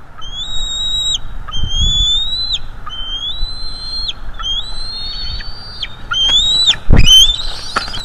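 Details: Male bald eagle on a live-streamed nest in North East Florida attacking an intruder: about six sustained high whistles, each slightly rising before dropping away, then a sharp louder upward squeal and low knocks.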